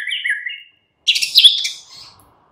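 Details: A white-rumped shama sings in the afternoon, a recording used to make a caged bird answer: a short warbled whistle, a silent gap, then a loud buzzy rattling burst fading away.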